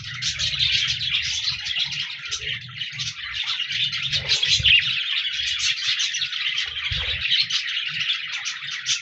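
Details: Parakeet flock chirping and singing on 14 January 2024, a nonstop stream of rapid high twittering and scratchy warbled notes, with an intermittent low thumping hum in the first half.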